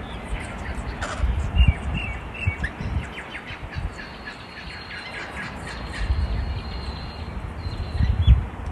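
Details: Wild rainbow lorikeets visiting a balcony in Melbourne, Australia, chattering and bickering: a sharp harsh burst, then a run of short scratchy notes and chirps, over steady low rumbling background noise.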